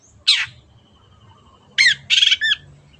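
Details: Long-tailed shrike kept as a cage bird, one harsh rasping note, then after a pause a quick burst of squawky buzzing notes and a short chirp.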